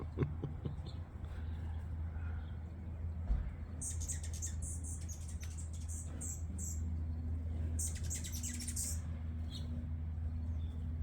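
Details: Hummingbirds in a flower garden give thin, very high squeaky chips in two quick bursts a few seconds apart, over a steady low rumbling hum.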